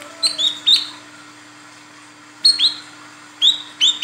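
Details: Female Olive-backed Sunbird, a lure bird calling the male: clusters of two or three sharp, high, downslurred whistles separated by gaps of about a second or more, with a low steady hum in the background.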